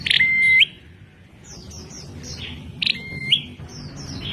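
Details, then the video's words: Unusual call of a bar-winged prinia (prenjak klawu): two loud calls, each a rough burst leading into a steady whistle that lifts sharply at the close, separated by a stretch of faint high twittering over low hum. "Prenjak Klawu Bersuara Aneh..?"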